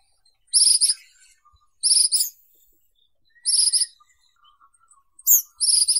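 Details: Ashy minivet singing: four bursts of high, metallic, fast-trilled notes, each under half a second and spaced roughly every one and a half seconds, with faint lower chirps between them.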